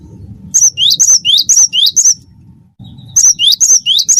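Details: Cinereous tit, wingko form of gelatik batu, singing loudly for use as a singing stimulus: six quick paired whistles, then a pause and four more, each phrase a high note and upslurred whistle, low background hum.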